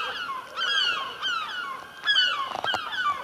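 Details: Gulls wheeling over a rooftop near a chimney, calling noisily. Strident downslurred cries repeat irregularly, with a burst of overlapping calls near the end.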